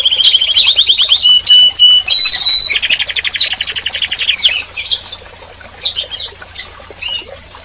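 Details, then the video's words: Singing canary: a chattering opening, a thin steady whistle, and a loud rattling trill, fading into scattered softer twitters and chirps. "Canary Singing And Calling - Chant et appel des Canaries - غناء الكناري وندائه"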